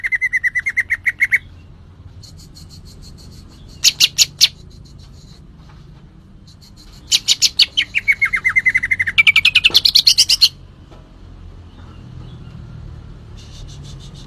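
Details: Green leafbird singing vigorously in bursts: a fast string of chirps, a short buzzy burst, then a long rapid rattle of high notes that rise and fall, separated by quiet pauses with faint background hum.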